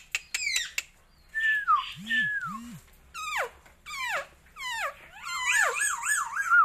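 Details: Captive raja perling, the Asian glossy starling, giving a varied song: quick chips, long falling whistles, steep downward-sweeping slurred notes, and a closing warbling, wavering whistle. A faint low hum runs underneath.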